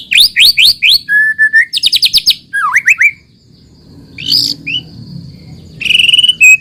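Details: White-rumped shama lure song to make other shamas sing: rapid downslurred whistles, a long flat whistle, buzzy trills and zigzag phrases, then a quieter pause before loud rattling notes return.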